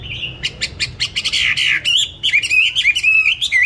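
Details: Songbird kept in a cage and fed bran steadily, purchased 19 May 2020, said to sing in any setting and at any hour: sharp chips leading into a sustained buzzy note, then a lively string of high, wavering whistled phrases.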